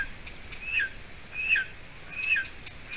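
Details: A golden eaglet at its nest in Latvia, 7 weeks old, on 30 June 2020 around 6:20 p.m., a day before it died amid scarce food, gives thin, high whistled slurs dropping at the end, about one per second, over faint hiss.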